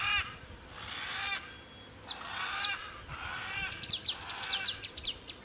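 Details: Wild male saffron finch singing freely in nature near Tupi Paulista, São Paulo: a few isolated sharp high chips, then a faster cluster of bright chirped notes, over soft background hiss and faint distant calls.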